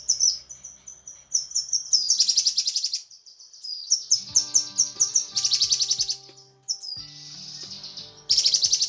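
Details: Cucak kinoi female calling a male, a tutor track: strings of clear, high, descending whistled notes alternate with three loud bursts of dense, grating chatter, while faint low musical tones sound beneath.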